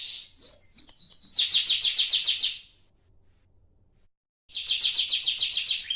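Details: Young pet canary aged about 30 days, a whistled phrase leading into a fast regular trill, a silent gap of nearly two seconds, then the trill resumes.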